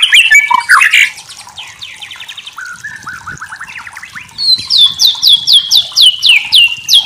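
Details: White-rumped shama song for masteran training: an opening of dense chattering and trills, a quieter run of fast buzzy notes, then a loud series of repeated sharp downslurred whistles about eight times.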